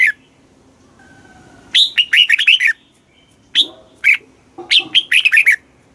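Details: Thai red-whiskered bulbul song in the southern master-pattern style, used to rouse caged birds and train chicks: a rapid warbling phrase, then two lone sharp whistled notes, then another fast phrase of bubbling, up-and-down whistles.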